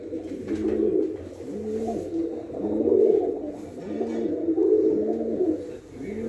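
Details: Several Punjabi Malwai pigeons, a red, nasal-voiced breed, coo continuously. Low throaty phrases rise and fall in waves every second or so, layered over each other with faint room hiss behind.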